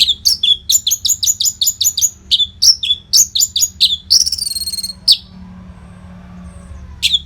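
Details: Orange-headed thrush singing a nonstop tutor song used to train contest birds: rapid series of high, sharp whistled notes dipping and rising, then a buzzy trilled phrase, a pause, and a final sharp note.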